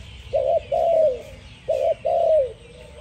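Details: Two song phrases from a spotted dove. A short, wavering coo leads into a longer, smooth coo that fades downward, and the pair repeats about a second later.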